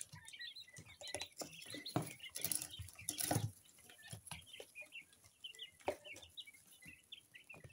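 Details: Two-week-old coturnix quail chicks of mixed colours, kept birds, make soft, high, scattered peeping chirps among louder rustling and handling noises.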